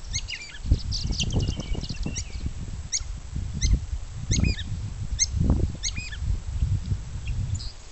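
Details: A banded Gray Catbird practising its song, mimicking other species, gives a loose string of short, high, varied chirps and squeaky notes, about one each second, over heavy low wind rumble.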